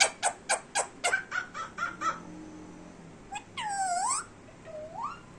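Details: Indian Ringneck parrot kept as a pet, talking: a quick run of about ten rhythmic clipped syllables, then a loud rising-falling nasal drawl and a softer upward-sliding tone.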